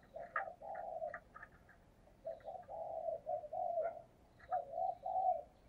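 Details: Spotted dove decoy bird cooing thúc gù style to lure wild doves: series of low, hoarse, slightly wavering coos in phrases, with short higher chirps from other birds scattered through.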